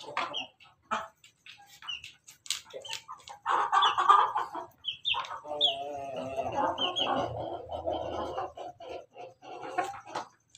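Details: Red laughing chicken (Ayam Ketawa) rooster perched atop its coop, giving a long melodious crow of rolling, choppy harmonic phrases that trail on for several seconds, mixed with scattered high chirps and clucks from other birds.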